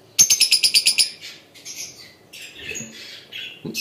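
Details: Captive lovebirds: a quick run of about eight sharp, evenly spaced shrill notes, then rougher chattering squawks and a few soft rustles.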